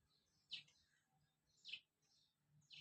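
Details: Colourful baby chickens kept under provided heat: three short high peeps spaced about a second apart over a low steady hum.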